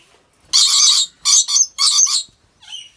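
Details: Drawn-out, rasping shrieks from a captive rainbow lorikeet in Aceh Besar, Indonesia, three longer grating bursts followed by a softer, fading squawk.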